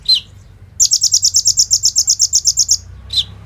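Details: Lure song of a kolibri ninja sunbird with bren and rambatan fill-ins, recorded on a phone: a lower downslurred chip, then a steady, very high trill of about fifteen quick pulses, and a closing slurred note.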